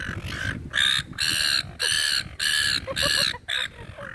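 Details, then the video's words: Gulls crowd around people feeding them in a park. Strident, nasal squawks come in rapid runs, each about a quarter second long, with several birds calling and a few softer notes between. "SEAGULLS SOUND EFFECT"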